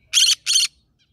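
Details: Green-cheeked conure that lives in a rice field, singing: a pair of loud, harsh, scratchy squawks in rapid succession, then quiet.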